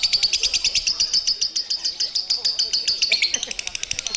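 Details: Lovebird singing a long ngekek, a fast, steady stream of high, sharp chattering notes, roughly three to four per second, running throughout and becoming quicker and more broken near the end.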